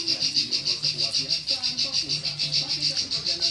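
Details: Klik-klik bird in full continuous song, kept as a tutor recording for other songbirds: a fast run of sharp, high clicking notes, about five per second and unbroken throughout, over a faint low murmur of voices.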